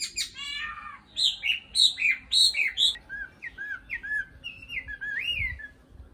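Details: Nightingale song with a harsh buzzy opening, then a rapid repeated sequence of bright looping notes, followed by softer rising and falling whistles spaced evenly, low rumbling background throughout.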